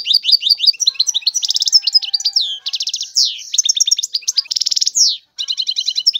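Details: Energetic European goldfinch song: dense high twitters alternating with several dry buzzy trills, then a brief pause and more tinkling notes.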